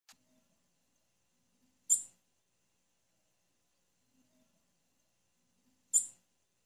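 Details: Female blue-black grassquit calling: two short, very high, sharp chips spaced about four seconds apart, with near silence between them.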